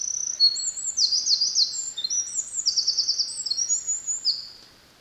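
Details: Eurasian wren song from Kurokawa-Keikanzan, July 2023: a loud, fast cascade of high, sharp trills and ringing whistled phrases, rattling runs in the middle, fading away at the end.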